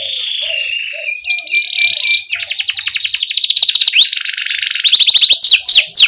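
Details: Continuously singing canary used to lure young canaries into song: a steady buzzy note, then long rapid rattling trills and repeated arching whistled notes, loud and unbroken throughout.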